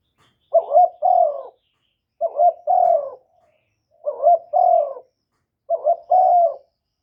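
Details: Caged spotted dove decoy calling to rouse other doves; four evenly spaced phrases roughly every 1.7 seconds, each a quick double-pulsed note followed by a fuller, hollow drawn-out coo, clear recording.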